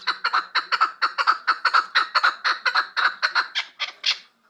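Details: Rhythmic series of about seventeen scratchy, clucking chuk notes from a chukar partridge offered for sale in Kabodiyon district, evenly paced and fading out at the end into quiet.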